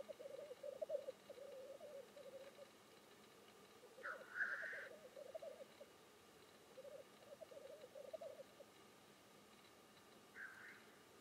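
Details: Lek display of black grouse: bursts of low, gurgling bubbling come and go, interrupted by a strong, rasping hiss at about four seconds and a shorter one near the end.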